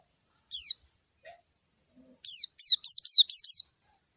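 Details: White-eye calling to a rival, recorded clean: one sharp high chirp, a pause, then a quick burst of six bright, steeply falling notes.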